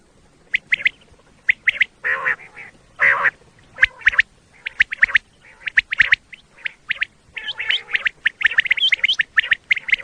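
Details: Common quail call used as a lure for quail hunting in Pakistan: short, sharp, chirping notes in irregular bursts, some rougher squawk-like blasts mixed in, loud and close throughout.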